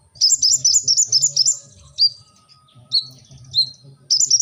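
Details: Brown-throated sunbird giving a rapid run of high, bright chirps, then a few spaced single notes and a final quick high twitter.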